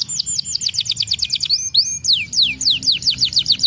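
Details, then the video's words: Domestic canary with a quick series of falling chirps, a brief sliding whistle, then longer swooping descending notes in a bright, varied song. "PANCINGAN BURUNG KENARI GACOR"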